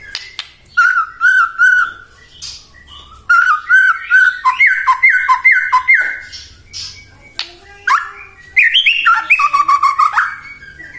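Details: Excited white-rumped shama singing nonstop, used to goad other shamas into song: doubled whistled notes, a rapid string of downward-slurred calls, then high, fast chattering phrases.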